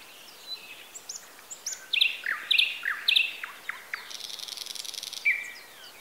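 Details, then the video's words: Birds singing in Bessarabia, Ukraine, recorded on a Zoom H4n: a bird repeats a bright high double chirp three times at even half-second spacing, among lower whistles, followed by a buzzing trill and a closing whistled note. "Sounds of nature. Birds. Звуки природы.Птицы"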